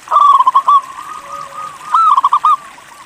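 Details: A local Indonesian zebra dove sings two cooing phrases. Each is a quick run of rolling, stuttered notes at a steady mid pitch, with a softer trailing coo between the phrases.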